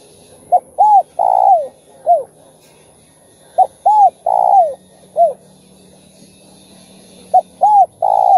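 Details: Spotted dove repeating its four-part cooing phrase three times, roughly every three and a half seconds. Each phrase is a quick note, an arched coo, a long purring descending coo and a short final coo. Played to excite other doves.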